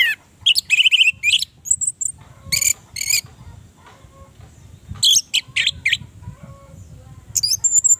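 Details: Orange-headed thrush song used as a lure for birds that have stopped singing: scattered high chirps and short buzzy bursts, with brief whistled trills, separated by pauses and a low background hum.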